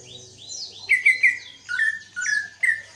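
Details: Pet greater green leafbird, singing after two months of care following a heavy moult: thin high chirps, then a series of strong, level whistled notes, several dropping slightly in pitch, in close succession.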